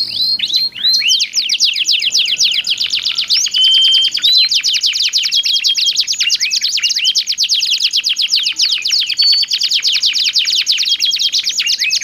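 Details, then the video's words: Two domestic canaries singing back and forth in different voice tones, used to prompt other canaries to sing: a loud, continuous high rattling trill of rapid repeated notes, with brief whistled notes mixed in. "SUARA KICAUAN KENARI GACOR SALING BERSAUTAN"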